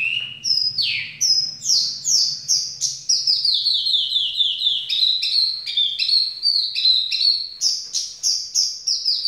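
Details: Javan bush lark kept in a cage, singing the style nicknamed 'ambulance': a few long falling sweeps, then a fast, even run of short high chirps stepping up and down, with a steady faint tone behind.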